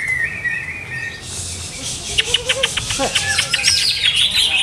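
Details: Caged greater green leafbird whose owner is still testing its contest setup, opening with a sustained whistle that slides down, then a fast run of sharp, clipped chirps and high trills.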